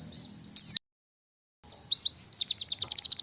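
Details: White-eye luring song, recorded without background noise. A high twittering phrase, a pause, then sliding whistles that turn into a fast, evenly repeated high trill.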